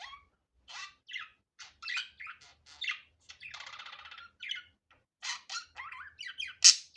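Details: Budgerigar heard unedited, chirping in short bright bursts mixed with a longer rasping, buzzy stretch midway, ending on a loud sharp squeak.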